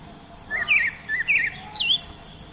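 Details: Oriental magpie-robin singing in the wild: a varied run of clear, looping whistles, three or four phrases in quick succession, the last sweeping higher; faint background hiss.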